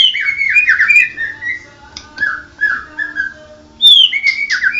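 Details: Medan 'blorok' white-rumped shama giving warbling whistled phrases that slide downward, softer mellow notes midway, then a loud high whistle followed by quick warbles.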